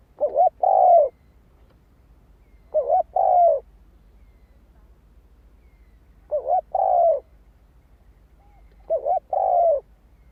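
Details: Spotted dove song played to excite decoy birds: four cooing phrases about every two to three seconds, each a quick double coo leading into a longer, slightly falling hoot, with silence between.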